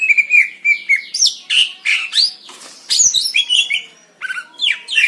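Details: Wild greater green leafbird from Indonesia in a clear tutor recording: a dense, varied warble of sliding whistles, chirps and short rapid notes, almost continuous, with one brief pause near the end.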